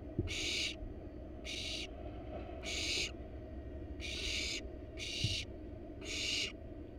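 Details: Wild barn owl parents bring a rat to their nestlings in a nest box: six drawn-out, noisy hisses spaced roughly a second apart, with a couple of sharp knocks and a constant low background hum.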